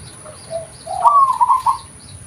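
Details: Local zebra dove natural call for luring: soft low notes lead into one phrase of a rising note and a rapid, quavering run of coos, with faint higher chirps behind.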